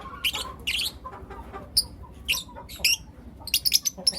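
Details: Four lutino lovebird youngsters in the morning utter clipped, piercing chirps one after another, some thin and whistled, others buzzy, roughly two or three per second.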